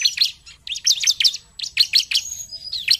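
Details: Bar-winged prinia, called ciblek, singing vigorously: bright, high chirped phrases of quick rising and falling notes, delivered in bursts with short pauses, and a thin whistle near the end. No other sounds.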